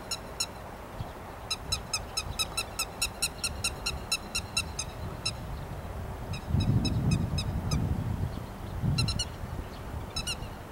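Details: Grey-headed lapwing in rice paddies, recorded on 13 May 2021, giving bursts of sharp, harsh clicking notes repeated quickly in runs. A low rumble of vehicle noise swells midway.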